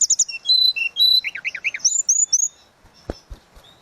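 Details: Tledekan laut giving a flute-like song of high chirps, pure whistles and a run of lower warbled notes, fading into a quiet end with a few knocks.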